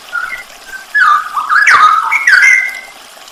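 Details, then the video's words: Training recording of Straw-headed bulbul song for songbird keepers, full 'isian nembak': after a quiet start, loud gurgling whistled phrases rise and fall, with one bright ascending note near the end, the sound blurred by reverberation. "masteran cucak rowo full isian nembak"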